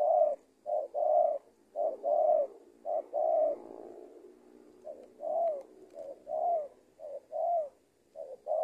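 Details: Indonesian tekukur, a trained decoy spotted dove, delivering repeated coo phrases, short note paired with a fuller downslurred coo, roughly once a second, with a brief lull midway before the rhythm resumes.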